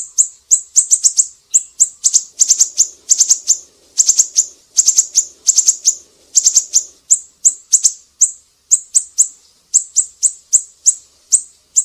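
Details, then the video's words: Siri-siri singing, recorded to teach cage songbirds: long, nearly continuous series of shrill high chirps, alternating single notes with fast clusters of three to five, with no other sounds. "Masteran burung siri-siri GACOR"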